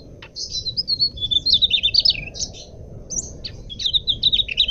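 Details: High, clear Mugimaki flycatcher song for training or luring cage birds: tumbling, bright warbled phrases with quick slurred notes, a brief pause, then another fast twittering phrase, with soft hiss below.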